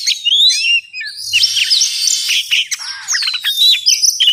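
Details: Oriental magpie-robin sound for luring birds into traps: clear sweeping whistles and upslurred notes over a buzzy, scratchy wash, a short harsh burst, then long descending whistles and quick high chirps.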